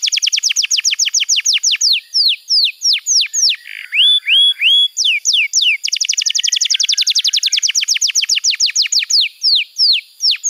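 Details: Canary tutor song for training young birds and coaxing non-singing canaries. Rapid descending whistled slurs repeat in fast series, broken by a few rising upswept whistles and a short buzz, then resume as a very fast rattling run.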